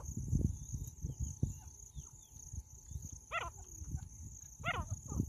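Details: Female jungle francolin gives two short, harsh, stacked call bursts, one at about a third of the way in and another near the end. Low rumbling wind or handling noise runs underneath, and a steady high insect-like hum continues throughout.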